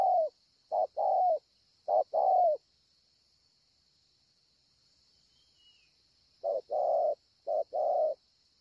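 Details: Spotted dove cooing at Ngọc Hồi on 25 March 2020: two bursts of short-then-long mellow coos separated by a long silent pause, with a steady faint high-pitched hiss and a brief distant whistle.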